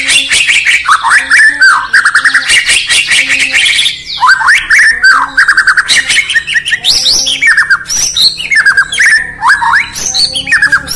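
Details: Murai Batu, the White-rumped shama of Indonesia, chirping through the morning: eleven seconds of rich, varied song with rolling whistled slurs, scratchy buzzes and rattling ticks, one short gap around four seconds before the outpouring resumes.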